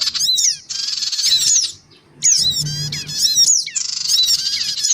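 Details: A black-winged cuckooshrike lure call of males, females and chicks: a grating buzzy squawk, a short silence, then bursts of stacked chattering chips leading into another long rasping screech.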